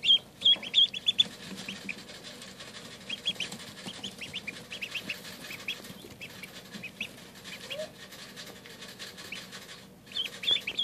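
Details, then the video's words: Newly arrived Indian Runner ducklings, settled in and eating, give high, thin peeps in quick bursts at the start, around three to four seconds and again at the end, with soft pecking and rustling between. "Indian Runner Ducklings, less peeping, more eating"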